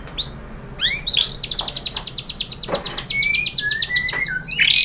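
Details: White-rumped shama (murai batu) lure song to trigger replies: a few upswept whistles, then a long rapid buzzy trill of even notes, with drawn-out lower whistles at the end.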